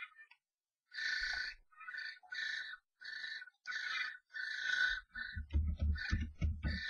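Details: Three common starlings fight inside a nest box after a strange starling enters the box of a pair: harsh, buzzy bursts of calling, repeated about every half second, then low thumping and scuffling at the end.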